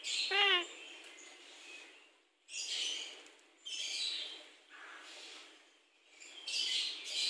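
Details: Javan myna in a private aviary. A clear stacked rising note opens the sequence, followed by three or four separate bursts of harsh, hissing chatter with pauses between them.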